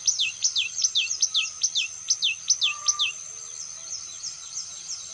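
Common Kingfisher giving a quick run of shrill, piercing whistles that slide downward, about three a second, then fading; a thin steady high hum underneath.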